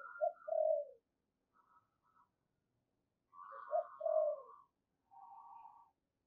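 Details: Decoy spotted dove calling to attract wild doves: two quiet, soft low coos a few seconds apart, each with a brief higher note beside it, in a near-silent setting.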